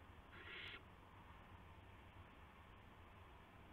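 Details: Owl delivering a gopher to another owl, evening of March 18, 2016, 8:00 PM; a single short hoarse hissing screech near the start, then only a low steady hum.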